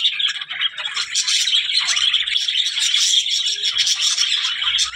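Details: Budgerigar chatter, a quick run of scratchy warbling notes and sharp chirps blended into one steady stream of sound.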